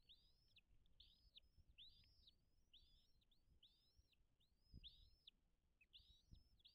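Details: Bald eagle at its nest on Dale Hollow Lake on the Kentucky-Tennessee state line, picked up by a nest camera in the morning. It gives a fast, even series of piercing, down-curving chirps, with faint background hiss and a few soft knocks.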